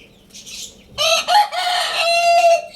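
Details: Lohmann Brown rooster crowing in a morning crow: a loud harmonic call in several bursts, with a short break before a long, held, slightly falling ending. Soft chirping comes just before it.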